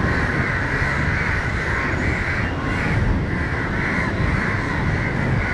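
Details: Crows in Matara, Sri Lanka, shouting at a dog that approaches a crow struggling on the ground, one flying over the dog again and again to chase it; harsh hoarse caws repeated roughly every half second over a steady low rumble.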